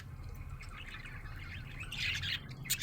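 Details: Happy budgerigar chirping: soft, scratchy warbled chirps that swell into a denser burst of twittering near the end, over a steady low hum.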